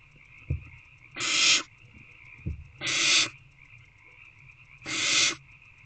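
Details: Young owls in box C, evening of 3/2/24, 6:28 pm, calling for a food delivery: a couple of low knocks, then three harsh hissing screeches spaced about 1.8 seconds apart over a constant faint hum.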